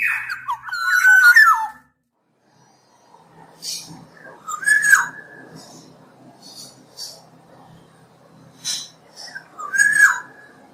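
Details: Black-naped Oriole giving a mellow, slurred whistled phrase, followed by softer whistles among low background rustle, and two more short fluty phrases near the end.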